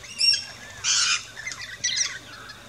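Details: Two loud, harsh squawking bursts from rainbow lorikeets feeding at a backyard station in Australia, preceded by a short thin chirp.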